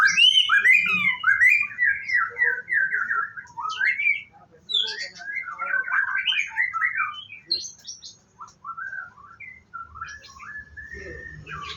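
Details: White-rumped shama kept at a bird farm, singing in its morning routine before bathing: rich rolling whistles and warbles, rising and falling, broken into bursts with short pauses, in a quiet indoor setting.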